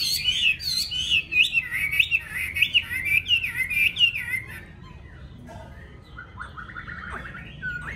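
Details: A caged hwamei with a yellow bill sings a burst of quick, ringing whistled phrases for about four seconds, then falls quieter, ending with a few softer drawn-out whistles.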